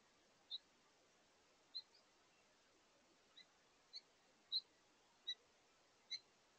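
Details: A house finch couple communicating at a bird feeder during their last meal of the day: seven or eight thin, high, clipped chirps, spaced about a second apart, fairly soft.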